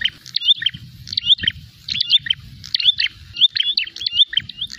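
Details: Prinia calling in a fight, seeking a rival: loud, fast repeated phrases of sharp chirps and short rising whistles, bursts about every second, with faint low rumbling beneath.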